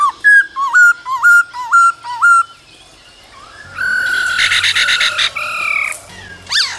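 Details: Male laughingthrush singing and dancing in cold weather, with female calls to excite newly caught birds: a string of dipping whistled notes about two per second, a pause, then a harsher, chattering burst with rising whistles.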